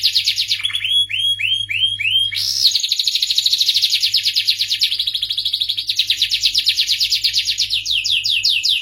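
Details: Starblue canary opens with a series of lower, curved whistled notes, then bursts into a fast, bright rolling trill that continues with shifting tempo to the end.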